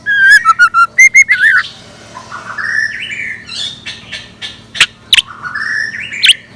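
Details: Scarlet minivet decoy singing in the morning: a quick run of clear, short whistled notes repeated several times a second, followed by softer rising chatter and scattered sharp high chips.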